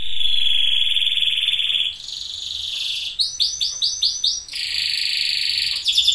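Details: Orange-coloured sunkist canary singing in the loper style as a master or lure song: a long, bright sustained trill, then a lower buzzy roll, a run of quick repeated rising chirps, and another steady high trill.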